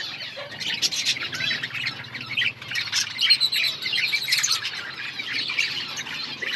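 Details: Budgies in an outdoor colony keep up a lively chirping chorus, rapid warbled notes and thin squeaks from many birds overlapping in a constant high-pitched chatter.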